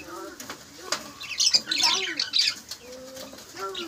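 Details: Budgerigars in a breeding colony where hens have laid eggs: bursts of high, scratchy chirps and squawks from several birds cluster in the middle, with a man talking at the start and between calls.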